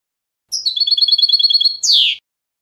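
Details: Short European goldfinch phrase: a quick series of evenly repeated high twittering notes ending in a loud, buzzy, descending call, then silence.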